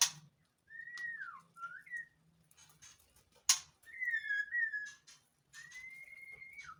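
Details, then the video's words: White-rumped shama in a captive breeding facility during mating season, singing in breeding condition: clear whistled notes, some level and some falling, in short phrases with gaps, plus a few sharp clicks and a faint low hum. "MURAI MUSIM KAWIN & KICAU MURAI BATU BIRAHI"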